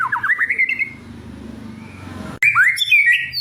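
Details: White-rumped shama fighter song meant to stir emotion and serve as a tutor: a short descending chattering phrase, a quiet pause with low background hum, then a loud burst of sharp whistled and squawky notes.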